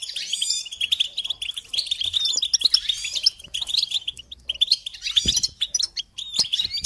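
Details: A goldfinch twitters rapidly on a recording meant to motivate songbirds, with high, liquid chirps and buzzy trills flowing continuously and occasional brighter bursts.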